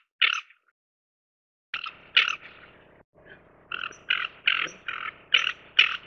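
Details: Ferruginous duck with an isolated harsh croak, a pause, then a run of repeated grating rasps, roughly two per second. A low background rumble and murmur run underneath.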